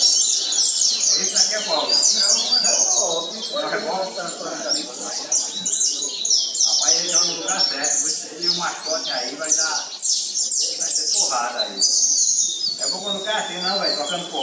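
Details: Chestnut-bellied seed finch, a brown 'curió pardo', delivers Pernambuco-style song for competition training. The singing is loud, continuous and dense, with rapid high chirps, trills and whistled phrases pouring out almost without pause.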